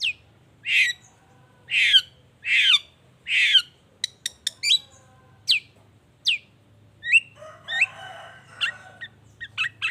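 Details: Long-tailed shrike song used to prompt rival shrikes to respond: loud downward-sweeping harsh notes repeated about once a second, then brief clicks and a scratchy, mixed warbling passage.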